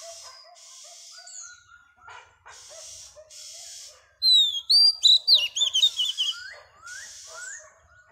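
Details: A female oriental magpie-robin sings to stimulate males: a varied run of sweet whistles and sharp rising and falling notes, loudest midway, with softer buzzy phrases and chatter around it.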